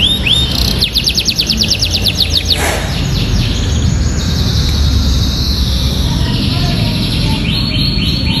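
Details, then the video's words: Atlantic canary singing a luxurious 'isian ciblek' style song (canary tutored with prinia-like phrases), delivered vigorously: a fast series of high, descending whistled sweeps, a brief sharp note, then more high trilled strokes near the end, over steady low rumbling background noise. "KENARI ISIAN MEWAH SUARA KENARI ISIAN CIBLEK GACOR"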